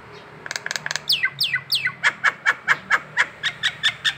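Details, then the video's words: Collared kingfisher in Indonesia calling in the morning in ngekek style: a few quick clipped notes, then steep falling whistles, then a steady series of loud harsh kek notes about five per second. "si jabrik ngekek pagi,pagi"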